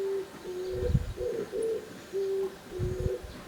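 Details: Oriental turtle dove calling: deep, breathy coos in short bursts, a couple per second, with several soft low thumps and a light hiss in the background.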